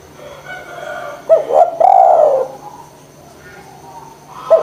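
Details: Spotted dove calling steadily, meant to prompt reluctant doves to sing: a single throaty phrase of two short notes leading into a long sliding coo that fades downward, the next phrase just starting at the end; faint hum throughout.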